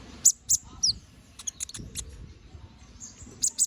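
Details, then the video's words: Canary singing in lively gacor ngobra style, a tutor song for training magpie robins: a few sharp, very high chipping notes and one short downslurred whistle, separated by pauses, over a soft low rumble. "Suara BURUNG KENARI GACOR NGOBRA! Cocok untuk masteran"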